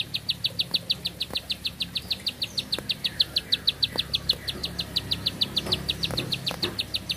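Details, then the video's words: Bar-winged prinia singing one unbroken phrase: fast, regular, high-pitched ticking notes that run on without pause, with a quiet background. "Nafas Panjang, Nembak Satu Lagu, Ciblek Sawah Gacor"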